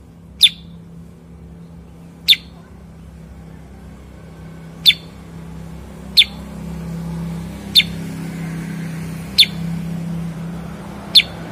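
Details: Kutilang sutra or cucak kurincang bulbul producing seven isolated, very short, high, clicky chirps spaced about one and a half to two and a half seconds apart over a quiet background.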